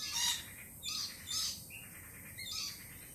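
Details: Lorikeets, jittery after a Peregrine Falcon attack earlier in the week, give shrill, harsh screeches in short bursts, three or four spaced across a few seconds over a steady background hiss.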